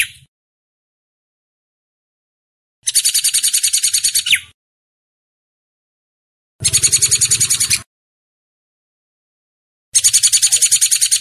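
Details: Hair-crested drongo (Dicrurus hottentottus), a master song for training cage birds: three bursts of harsh, rapid, buzzy pulses, about a dozen per burst, each lasting over a second and separated by silent gaps.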